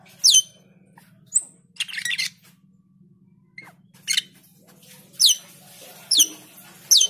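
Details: Asian pied starling singing loudly as a prompt to get others to sing, giving scattered harsh squawks and quick downward-sweeping whistles roughly once a second, with a constant low hum underneath.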